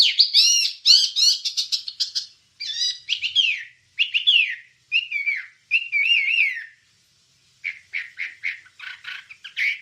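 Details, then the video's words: Wambie master song: a rapid jumble of high chirps and warbles, then wavering whistled phrases and a quick series of short clipped notes. Used for training songbirds, with no other sounds. "Ocehan Suara Burung Wambie"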